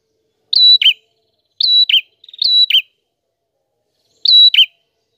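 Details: Prinia singing steadily in a clear voice, recorded as a tutor track for training songbirds: four sharp phrases, each a short high steady whistle ending in a quick downslurred twitter, spaced about a second apart in silence.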